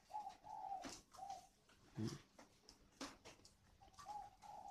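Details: Young spotted dove decoy bird, wild-caught and newly tamed, less than a year old, calling in rainy weather; a series of soft level coos in groups, with clicks and handling noises between them.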